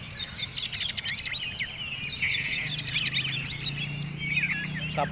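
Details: Competition Oriental magpie-robin, a lower-ranked bird ready for the black-and-white class, pours out loud, rich song: rapid rattling trills, swooping whistles and scratchy mimicked-sounding phrases in quick succession, with a faint low hum of people underneath.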